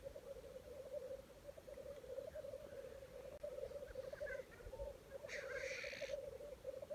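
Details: Black grouse mating display at a Welsh lek, early 2020: an unbroken, quivering, pulsed bubbling drone dominates, with a single short hissing sneeze late on and a few faint hisses earlier.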